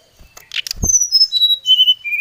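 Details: Brown-chested jungle flycatcher lure song challenging a rival: after a few thuds and a noisy rustle, a smooth sequence of pure whistles steps steadily downward in pitch.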